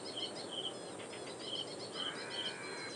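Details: Ashy Prinia calling loudly in reed beds at Powai Lake, IIT Bombay, Mumbai, India, on 1 October 2022, recorded with a directional microphone: high, ringing notes repeated about every half second against a steady hiss of background noise.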